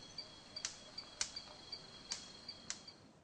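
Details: Four sharp, whip-like snaps from a greater lophorina (superb bird of paradise), about 0.5–1 second apart, over faint high ticks and a thin insect-like whine. The snaps are non-vocal, made by quickly moving the wings and apparently the tail during the main display.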